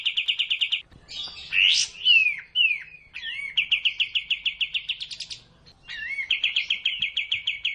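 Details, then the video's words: Sooty-headed bulbul tutor recording for caged birds: fast chip series interrupted by loud buzzy sweeps and falling slurred whistles, then rapid, even trilling returns twice. "masteran burung kastem agarcepat bukor"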